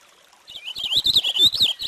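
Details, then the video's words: Purple finch singing a rich, fast warble of tumbling slurred notes that rises and falls in a clear run of about one and a half seconds after a short quiet lead-in. "Canto del Camachuelo Purpúreo"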